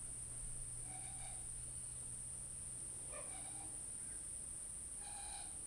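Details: A Great Kiskadee by the wetland at REGUA, Brazil, on 28 May 2012 gives three short, harsh, nasal calls about two seconds apart, over a steady high insect whine and a low hum.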